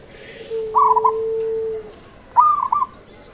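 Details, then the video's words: Zebra dove of local stock singing its rhythmic art song: a bubbling cooing phrase, then after a pause a sharper second coo phrase, over a steady low drawn-out hum. "SUARA PERKUTUT LOKAL SENI IRAMA"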